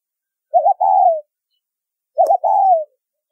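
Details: Two low coo phrases from a spotted dove giving the 'thúc rút bổi' lure call, used in bird trapping. Each is a quick trilled note and then a longer descending coo, with a faint click before the second phrase.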